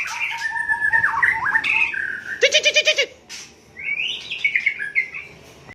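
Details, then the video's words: Aceh-type white-rumped shama recorded at Cot Goh, Bireun in Aceh province, giving level whistled notes and quick slurs, then a brief rattling burst of six harsh pulses, then rising twittering whistles fading toward the end. "Murai Aceh"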